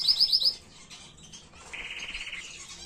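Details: Canary tutor song for teaching young birds: a fast, high buzzy trill of repeated notes opens, a quieter pause follows, then a lower, steady rattling trill lasting under a second.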